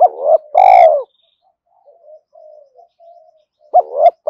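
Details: Spotted dove cooing: a loud, rough, downward-sliding coo, then quiet wavering low notes and another strong pair of coos near the end.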